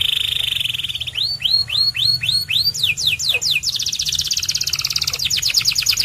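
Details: White canary sings continuously: a steady buzzy note, a sequence of arched whistles repeated about twice a second, faster down-slurred notes, then a dense pulsing trill to the end.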